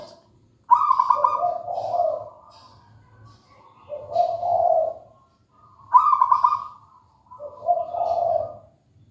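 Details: Local zebra dove singing: two paired phrases about five seconds apart, each a bright high trill followed by a lower rolling coo, over faint low background hum.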